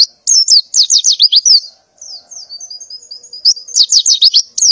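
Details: In the morning a female white-eye in breeding condition calls for a mate: quick clusters of piercing high slurred chirps, a softer thin wavering passage, then another rapid burst.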